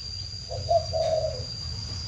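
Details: Spotted dove cooing, praised by a listener as thrilling: a brief pair of soft, low, hollow coo notes near the middle, over a steady low rumble and a constant high-pitched tone.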